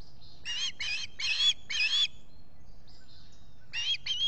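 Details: Osprey at a Salt Point nest in the Finger Lakes, squawking on a July morning in 2021: four strident, ringing notes in quick succession, a pause, then two more.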